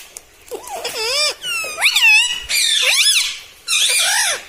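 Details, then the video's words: Talking pet parrot indoors, said to say mitthu mitthu and mummy: long connected phrases of wavering, harmonic, rising-and-falling syllables, almost continuous over four seconds, voice-like in tone. "TALKING PARROT - MITTHU MITTHU - MUMMY BOLNE WALA TOTA - मे तोता में तोता है मिट्ठू मिट्ठू"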